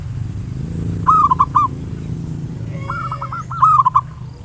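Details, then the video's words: Local zebra dove singing a lure song in the ngayer nulop style, meant to provoke other doves to sing: two low, rounded cooing phrases, each a quick run of clipped hoo notes ending in an emphatic coo, over a steady low hum. "Perkutut lokal PANCINGAN SUARA NGAYER NULOP ampuh merangsang cepat EMOSI BUNYI GACOR"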